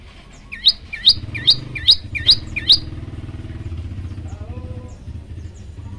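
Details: Tailorbird known as prenjak lumut, in an active varied training song: six sharp, hooked chirps about every 0.4 seconds, then a steady motor rumble with faint distant chirps.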